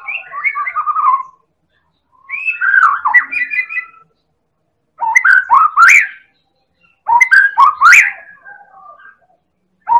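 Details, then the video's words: Medan white-rumped shama, an elite champion bird, in lure song meant to set other birds singing: four bursts of jumbled whistles, the later ones loud with rapid rising notes and crisp clicks, divided by silent gaps. "Pancingan Burung Murai Batu Medan Super Gacor Elit Juara"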